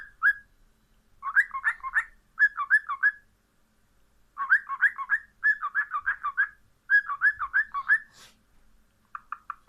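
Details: Cockatiel repeating bursts of wavering, warbling whistled notes in clusters of four to six, separated by short pauses, with a brief click and a final trio of short chirps.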